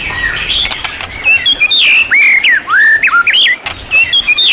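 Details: Champion-class white-rumped shama singing a varied, material-rich tutor song: after a quiet, noisy start come loud looping whistles, rising slurs and high chirps, delivered in quick bursts separated by short pauses.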